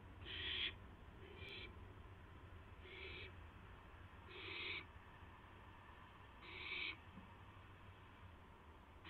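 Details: Owl at the nest shortly after midnight, April 12, 2016, while a mouse is delivered: widely spaced, soft-edged hissing screeches, five in nine seconds, with quiet pauses and a low background hum.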